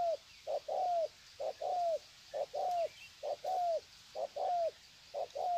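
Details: At Sê San on 21 February 2020, wild-caught spotted doves greet each other: a brisk run of short-long coo pairs, the long note dropping in pitch at its tail, roughly one pair a second.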